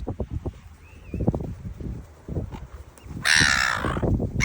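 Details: Gull at Bare Island, La Perouse, Sydney: one loud, harsh, rasping call with rich harmonics lasting under a second, following several low thumps and a faint short whistle, with a windy outdoor background.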